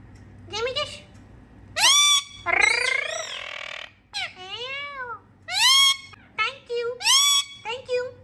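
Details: Talking pet Indian ringneck parakeets during playtime, happy vocalizing: varied warbled, squeaky chatter with rising and falling whining notes and a few rough squawks, uneven in rhythm, indoors.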